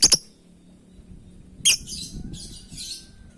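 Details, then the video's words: Lovebird calling its companions: a sharp high chirp, then another followed by softer raspy twittering notes, with low background rumble. "Suara burung love bird memanggil kawan"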